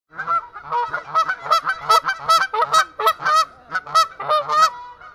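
A flock of wild geese honks continuously, with many nasal, mid-pitched honks overlapping in a rapid, uneven chorus and no other sounds.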